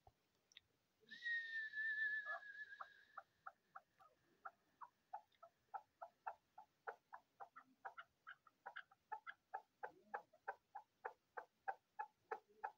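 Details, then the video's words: Chukar partridge, male and female, calling: a long drawn-out whistle followed by a steady series of short clucking notes repeated about three times per second, accelerating slightly, in a quiet setting. "kiklik avi sesi , dise shikar aur larai waly chakor, avaz sung male female"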